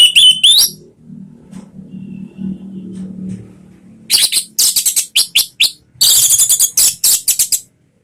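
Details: Orange-headed thrush song used as a lure to prompt a kept bird to sing: a high chattering burst, a low humming pause, then rapid clusters of sharp, buzzy, high notes in quick bursts.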